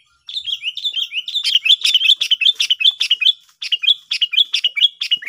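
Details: Sooty-headed bulbul in a lively bird-trapping lure session: a dense, continuous run of bright whistled chirps with down-slurred notes, rapid and slightly uneven, with brief sharp high clicks mixed in and a short pause midway.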